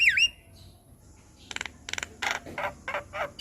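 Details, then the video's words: White-eyed jalak kebo (Javan myna) in a masteran recording: a sharp whistled slur, a pause, then a run of harsh rasping notes at a steady, fairly quick pace. "Masteran Jalak Kebo Mata Putih - Jalak Kebo Gacor Dengar Kicauan Jalak Kebo Masteran"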